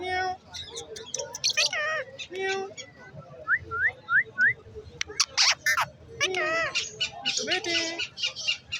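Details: Green ringneck parrot, a talking bird, in Lalukhet market; varied loud whistles and squawky mimicry, including three quick rising whistles near the middle, interleaved with harsh bursts and background speech.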